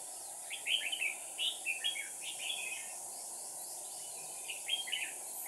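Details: Decoy red-whiskered bulbul singing to provoke rival birds: a few quick clear warbled phrases early, then a quiet gap before a brief final burst of whistled notes, with constant background hiss.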